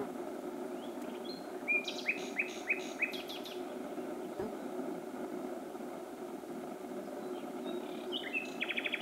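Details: Common nightingale singing at night in Pälkäne, Myttäälä, Finland, 6–7 June 2016 around 23:24–00:29: six or seven loud repeated notes, then a quick rapid-fire trill, over a steady low hum of distant noise.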